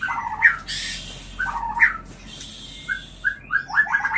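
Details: White-rumped shama mating call, used to bring birds into breeding condition: clear whistled phrases around two kilohertz, several short rising notes and brief rapid flourishes, with soft hiss in the background.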